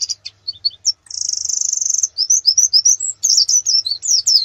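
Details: Canary master song for national contest preparation: a few short chirps, a second-long rapid even trill, then a run of varied whistled notes sweeping up and down.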